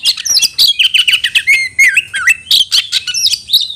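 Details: Oriental magpie-robin calling a rival to fight, meant to make birds more aggressive and tail-spreading: a dense, varied run of bright whistles, sharp chirps and slurred notes, some gliding down and rising, delivered almost continuously.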